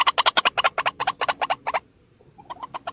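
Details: White-breasted waterhen, a single bird used as a lure: about a dozen loud, rasping croaks in quick succession, a short silence, then softer, faster notes resume.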